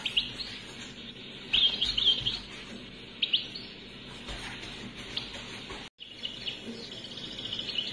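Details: European goldfinch song from Algeria, played unedited from a cassette tape: short bursts of bright, twittering high notes near 1.5–2 and 3.3 seconds, then scattered faint chirps over a steady hiss, with a brief dropout near six seconds.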